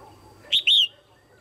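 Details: Female Red-whiskered bulbul kept caged, calling to attract or stimulate males for pairing: a single clear double call, a brief high chip then a longer whistled note sliding downward, over faint low hum.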